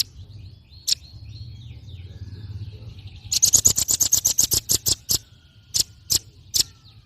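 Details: Fierce song of a red-billed nuthatch used to tutor cage birds: one sharp tick, a quiet pause, then a rapid burst of about fifteen high, hard chipping notes slowing into three spaced ticks at the end.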